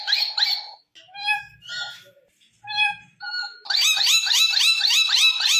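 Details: Indian ringneck parakeet talking in a room: thin, nasal, speech-like phrases with short gaps, then a sustained loud stretch of rapid, rising syllables repeated about three times per second.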